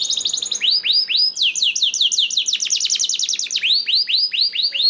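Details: Canary singing to prompt other canaries to join: repeated rising-and-falling whistled notes in quick tours, pace shifting between slow full notes and fast runs.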